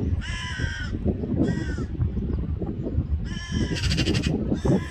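A magpie gives nasal, harsh calls in four short bursts, one breaking into a rapid chattering rattle, over steady low rumbling background noise.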